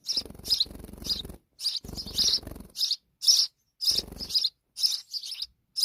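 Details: Sparrow babies in Pakistan beg while their mother feeds them insects; high raspy chirps come in uneven pairs and clusters over heavy low rustling and bumping.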